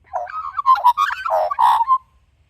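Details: Australian magpie in a garden, where a female and a male are being hand-fed white curl grubs, gives a rich, fluty warble: about two seconds of quick, varied, mid-pitched notes with gurgling, chortling phrases, then silence.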